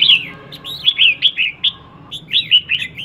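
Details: Calling female red-whiskered bulbul used to stimulate males: a rapid run of bright, down-slurred whistled notes, one after another, pausing briefly midway before another quick string; faint steady hum beneath.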